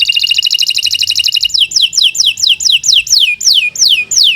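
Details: Canary song as a tutor recording for training birds: a fast, even trill of high bright notes for about 1.5 seconds, then a series of clear descending whistled sweeps repeated roughly three times a second.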